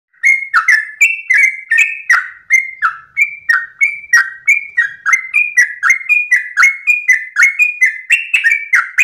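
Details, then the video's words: Sooty-headed bulbul at dawn singing a long 'ropel' style song: bright whistled notes around mid pitch with sharp downward flicks, delivered in quick continuous succession about three per second, clean background. "ROPELAN TRUCUKAN Terbaik subuh pagi hari"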